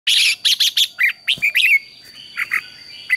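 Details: Red-whiskered bulbul singing in the morning, a training or competition song for caged birds: quick bursts of bright chirped notes, then slurred whistled phrases with pauses, over a steady high electronic tone.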